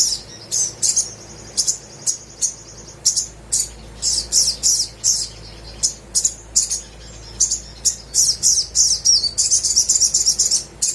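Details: Little spiderhunter song for coaxing quiet birds: crisp, very high chirps repeated about three per second, interspersed with short thin whistled notes and a fast twittering run at the end.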